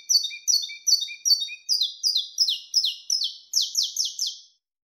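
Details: Saffron finch in wild-type 'canto mateiro' song, giving an even run of crisp, falling notes that grow buzzier and louder toward the end before stopping abruptly; no background noise.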